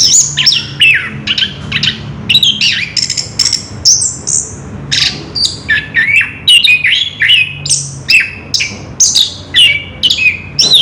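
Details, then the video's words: Continuous ngerol song of an Orange-headed thrush: rapid, varied high whistles and sharp chirps tumbling one after another, with rising and falling slurred notes and barely any gaps, low background hum beneath. "Burung Anis kembang ngerol edan luar biasa"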